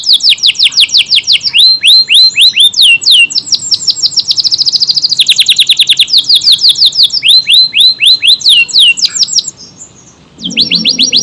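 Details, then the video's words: Lively AF canary pouring out long, tight song bursts: fast repeated rising whistles and rolling trills, changing pitch between phrases, with a brief quiet gap near the end. "KENARI AF GACOR, durasi panjang tembakan rapet pas buat isian Murai, Kacer dan burung lain"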